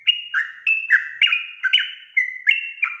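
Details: Actively singing yellow-vented bulbul (trucukan gacor) with rapid ropel song used to incite rival birds: a run of about ten chirpy, liquid whistled notes alternating higher and lower pitches, delivered almost without pause.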